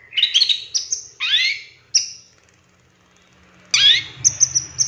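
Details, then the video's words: Cendet, or long-tailed shrike, master lure recording with 'tembakan' style filling: a few scratchy, rising chattered notes, a silent gap of nearly two seconds, then an abrupt burst of sharp high whistles. "Suara Cendet No #1❗Masteran Pancingan Cendet Isian Tembakan"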